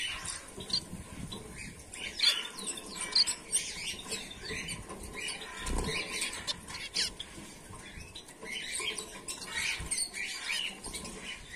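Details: A colony of white Bengalese finches, both males and females, chattering with many brief high-pitched chirps in quick irregular succession, accompanied by frequent fluttering wingbeats and rustling.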